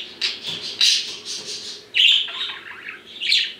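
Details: Male pet budgerigars separated indoors, calling: a few harsh scratchy squawks, then a clear whistled note falling into chattering warble, and another loud squawk.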